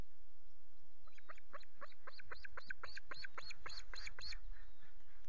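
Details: Osprey calling at a nest with chicks, Loch Garten, 5 July, nest camera, male arriving with two fish; a run of short, sharp chirps quickening and growing louder over about three seconds, with low background rumble.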